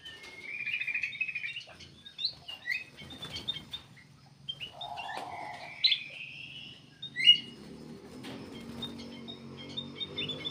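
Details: Black-capped bulbul singing energetically, used as a lure for other birds: varied whistled and chirping phrases, rising slurs and a sharp loud note, mixed with clicks, a buzzy mid-pitched patch and a low background hum.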